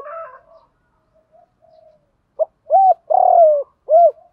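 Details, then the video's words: Spotted dove calling in a recording of male and female coos used daily to train captive birds. A soft, faint hooting opens, then a loud phrase: a short note, a rounded coo, a long buzzy drawn-out coo and a final rounded note. "tiếng chim cu gáy dùng tập bổi hiệu quả hàng ngày"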